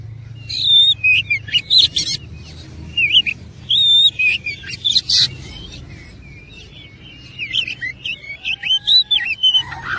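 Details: Persistent, combative singing from an oriental magpie-robin with a varied filler song: clusters of sweet whistles and rasping buzzes, a lull near the middle, then quick warbled, looping phrases.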